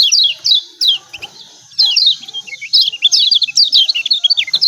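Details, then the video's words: Lombok white-eye (kecial kuning) 'ciak ciak' lure calls for reluctant singers: several spaced, sharply falling high chirps, a short pause, then an accelerating burst of rapid twittering notes. "CIAK CIAK JOSS KECIAL KUNING AMPUH||PANCINGAN KECIAL MALAS BUNYI||"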